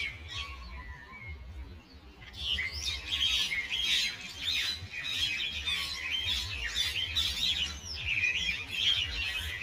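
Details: Fighting common mynas at Ewa Beach: a couple of seconds of softer scattered notes, then an abrupt burst of loud, harsh, overlapping squawking and chatter that continues to the end.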